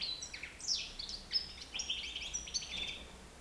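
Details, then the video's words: Nine-month-old European goldfinch at liberty in a living room; continuous fast liquid twittering of high tinkling and buzzy notes with a few clear whistles, over a quiet indoor background. "chardonneret libre dans mon salon"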